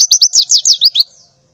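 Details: Breeding female white-eye calling to males at morning: about seven loud, high, downward-sweeping chirps in quick even succession, trailing into a faint thin note.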